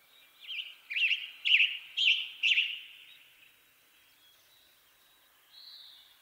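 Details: Four or five hoarse, burry phrases of western tanager song delivered rapidly, then a pause with a faint high note from another bird.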